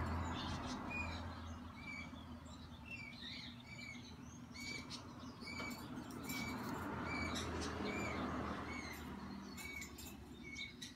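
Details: Short, arched chirps from a hand-raised green-cheeked conure chick repeat about twice a second over a low hum, with soft rustling and fluttering throughout.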